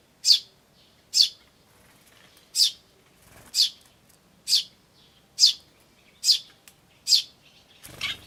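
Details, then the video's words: Eurasian tree sparrows, a chick and adults, recorded in May 2013: sharp high chirps repeated roughly once a second, eight in a row, ending with a brief rustle. "スズメと雛の鳴き声(5) Sound of Tree Sparrows and chicks (5)"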